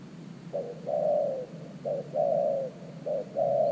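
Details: A decoy spotted dove at an earthen ground trap for luring wild doves coos steadily. Each phrase is a brief low note, then a drawn-out, gently descending coo, repeated about every 1.2 seconds over faint background hiss.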